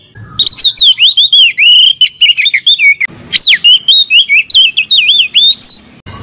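A young Oriental magpie-robin sings a fast, unbroken run of varied, clear whistles, with sharp upslurs and downslurs and bright trills, loud and close.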